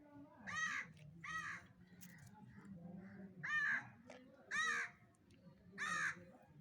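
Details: Harsh, grating cries from an angry parrot, five separate rasping calls at irregular intervals of about one to one and a half seconds, over a steady low background hum.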